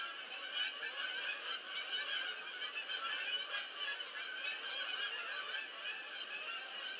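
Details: Numerous geese settling in to land, 22 October 2015, honking all together in a loud, dense chorus of clipped nasal calls with rhythmic surges in volume.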